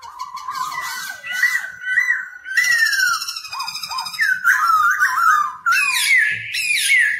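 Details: Black-throated laughingthrush singing while dancing, used to train young birds to sing: loud, rich whistled phrases sliding up and down, looping warbles and rising notes, indoors, faint background rustle.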